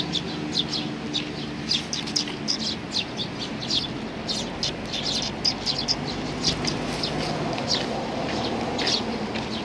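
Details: Eurasian tree sparrows gathering on a bench to be fed, recorded 3 June 2020; a flock gives dense, overlapping short chirps throughout, over a steady low background hum.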